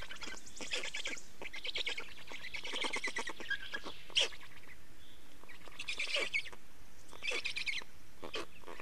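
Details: Estonian black storks at their nest during change and feeding on 24.05.2019, mid-afternoon: rough, rapidly pulsed chattering bursts, several separate runs with one brief sharp squeak in the middle, against quiet background hiss.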